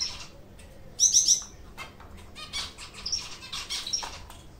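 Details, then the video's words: White English zebra finch pair at work on a nest of burlap fibres, kept in a breeding room; a loud cluster of bright nasal calls opens the clip, then softer chirps and fluttering wings. "لانه سازی فنچ زبرا | پرورش فنچ | صدای فنچ"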